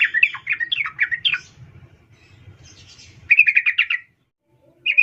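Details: Female sooty-headed bulbul calling a male: bursts of quick chattering notes near the upper-middle pitch, a pause with low rumbling background, then a fast run of about seven bright notes.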